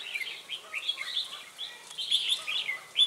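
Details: Red-whiskered bulbuls at a trapping spot in Ba Thá, 18 December 2016, where a lure bird calls wild birds. Loud, clear, bouncy whistled notes follow each other rapidly in cheerful, rising and falling phrases.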